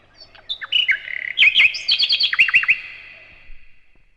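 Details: Loud varied nightingale phrase: whistled slurs, quick chirps and a series of short downward-sweeping notes, fading into softer twitters at the end.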